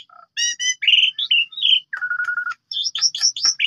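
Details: Short burst of Asian pied starling song, used to draw song from other birds; stacked ringing notes, warbled whistles, a flat steady whistle, then quick high chattering slurs.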